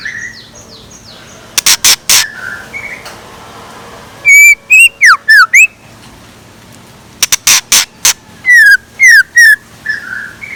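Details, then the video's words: Scarlet minivet decoy bird singing in the morning: loud, clear whistled notes, some sliding downward, given in quick bursts of four to six with pauses, mixed with sharp clicking snaps and softer background chirps. "Tiếng Chim Chèo Lửa Mồi Hót Sáng"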